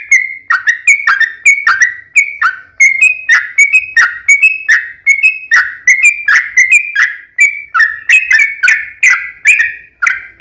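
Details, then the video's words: Yellow-vented bulbul with long rapid-fire lure song intended to make other bulbuls sing back: a continuous stream of crisp, gurgling whistles, clustered in quick bursts with short rests. "KICAU SUARA trucukan gacor ROPEL PANJANG pancingan trucukan agar bunyi"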